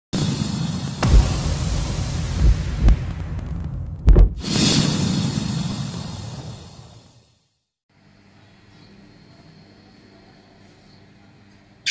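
Loud broadband rumble and whooshing with sharp bangs, then near silence and faint hum, with no animal voice heard.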